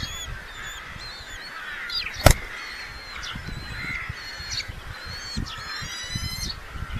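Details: Red-footed falcon at a nest in Polgár, Hungary, 2025, with chicks hatched around 20–22 June, gives nasal, harmonic calls ending in a quick chattering run, over a low rumble of wind with one sharp knock.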